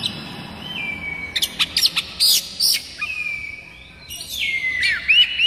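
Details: Kacer daput magpie-robin song played as a tutor to set other magpie-robins singing: long level whistles and upswept notes broken by loud scratchy, rasping bursts, ending in a rising whistled flourish.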